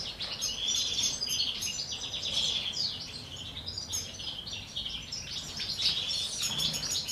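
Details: Common chaffinches kept in captivity, courting during the 2023 breeding season, with a pair sharing a male; continuous high twittering and chirping trills from several birds, with overlapping phrases and brief rising and falling notes.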